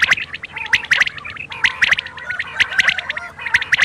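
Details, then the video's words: Quail calling at night in dense, repeated groups of sharp, bright, ticking notes, strung almost continuously with barely a pause, possibly several birds overlapping, over a steady background hum. "quail call hd | bater ki boli 2021 | بٹیروں کی بولی رات کے لیے"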